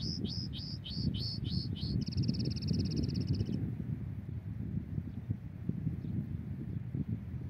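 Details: Migratory European goldfinch during trapping, six quick downslurred whistled notes running into a buzzy trill of about one and a half seconds, then only the low rush of wind.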